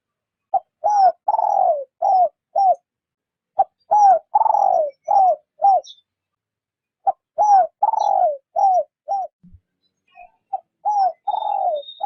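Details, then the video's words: Spotted dove used as a lure bird for trapping, cooing softly in repeated phrases: a short coo, a longer falling coo, then two or three clipped coos. Phrases recur about every three and a half seconds, four in all, with quiet gaps between them. "Tiếng chim gáy mồi rút bổi nhẹ nhàng"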